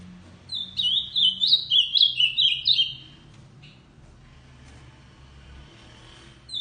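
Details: Tournament ultramarine grosbeak in full song, delivering a rapid phrase of roughly eight sweet, down-slurred whistles over two seconds. A single short note follows after a pause, then quiet hum with another note at the end.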